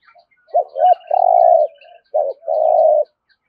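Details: Two deep rolling phrases from a spotted dove, the 'thổ rền' voice of 'thúc gù' cooing: paired short notes leading into a sustained, vibrating low coo, repeated about a second apart.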